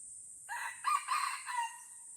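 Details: Wild red junglefowl crowing in the Lamteuba forest of Aceh, where the birds fight: an introductory note, then three rough, harmonic-rich bursts in quick succession, fading at the end, backed by constant shrill insect noise.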